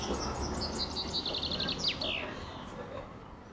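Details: Common chaffinch singing: a rapid series of bright repeated notes that quickens and steps downward, ending in a quick sweeping flourish, over steady low background rumble.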